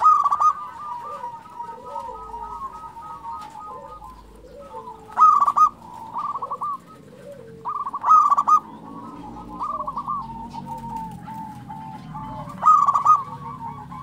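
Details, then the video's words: Zebra dove of a local strain singing persistently: loud trilled coo bursts recur about every three seconds among continuous softer coos. Other doves call faintly at lower pitch, with some background rumble. "SUARA perkutut lokal gacor"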